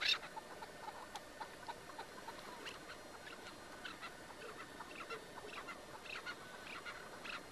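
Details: Partridge (keklik) in a cage on a çatı hunt. Quick, scratchy chirps and clipped notes repeat irregularly throughout, thickening into a series toward the end against constant outdoor hiss.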